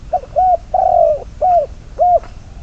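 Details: Spotted dove kept as a decoy bird for trapping, number 22, giving a phrase of soft hollow coos: a short note, then a longer drawn-out coo and two more rounded coos, low and mellow, in a quiet setting.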